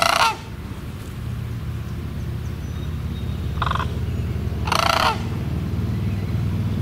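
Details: Rattling, trumpeting sandhill crane calls: one burst at the start, a softer one later, then a longer, rolling bugle near the end, all over a constant low hum.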